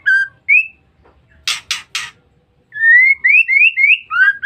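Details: Female white-rumped shama call used to lure males. Two rising whistles and three harsh rasps come first, then a steady series of about six upslurred whistled notes.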